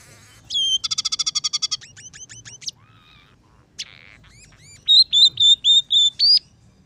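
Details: Scaly-breasted munia, or emprit peking, in a song filled with house sparrow, red siskin and canary phrases: a rapid buzzy trill, a string of falling chirps, a harsh note, then five or six loud, sustained whistles.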